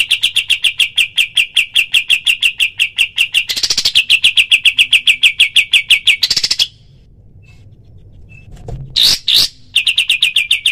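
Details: Black-winged flycatcher-shrike, a training recording of its rapid-fire 'tembakan' calls for other birds. A fast run of sharp, even notes repeats for about six seconds, pauses in near silence, then resumes in short bursts.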